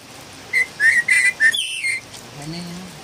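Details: Philippine bulbul, said to be a loud singer, gives four or five quick clear whistled notes, then a descending slurred note; a faint low hum is heard afterwards.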